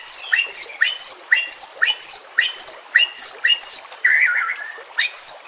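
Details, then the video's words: White-rumped shama song used for training silent birds: a sharp high whistle sliding downward, repeated about twice a second, then a lower warbled phrase before the repeats resume. "PANCINGAN murai BATU pasti langsung TAK BISA DIAM"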